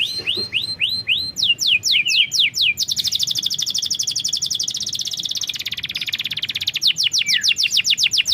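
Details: Canary song recorded as a lure to start a lazy bird singing. Repeated slurred whistles give way to a long, rapid, pulsing high trill, then further crisp downslurred notes.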